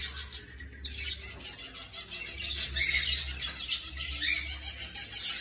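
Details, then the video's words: A budgerigar warbles in a steady, scratchy chatter of quick high chirps and squeaks, with a low hum running underneath. "Canto de periquito australiano"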